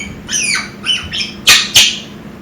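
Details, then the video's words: Six-month-old pet African grey parrot kept indoors gives a run of harsh, falling, harmonic squawks. Two loud, abrupt, broadband shrieks close the series. "making noises (African Grey)"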